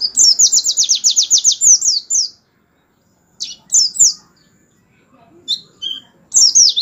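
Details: Canary performing the tembakan song style, used as a master recording to tutor white-eyes so they respond and sing as in the wild. A fast, even, very high trill for two seconds, then a pause and separate sharp whistled and buzzy phrases.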